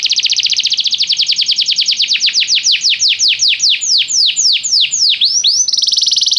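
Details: Canary training song to set a canary singing: a very fast trill of repeated notes that gradually slows into broader descending sweeps, ending in a dense buzzy roll.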